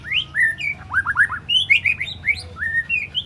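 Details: Three-month-old spotted white-rumped shama practising sharp tembakan and besetan phrases: quick sweeping whistled notes, several fast downward flicks in a row, then longer level whistles.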